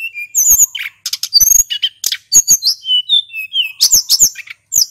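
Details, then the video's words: Male hill blue flycatcher singing in rapid rolling bursts, used as a lure recording: high thin whistles and sharp chirps jump between notes in quick varied phrases with brief pauses, clear and loud with no background noise. "Sulingan gunung jantan gacor ngeroll ‼️ Suara MP3 PIKAT"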